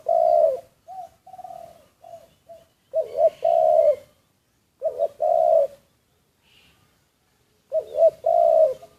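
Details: Decoy spotted dove recorded on the sly, cooing steadily. Low, soft short notes lead into three loud cooing phrases, each a quick double note followed by a sustained mellow coo.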